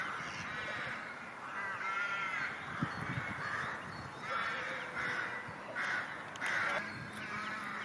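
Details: A mother Mallard with her feeding ducklings on the shore beside water, with other ducks on the water, gives harsh, nasal quacking calls in short bursts, unevenly about every second or two, over a low background rumble.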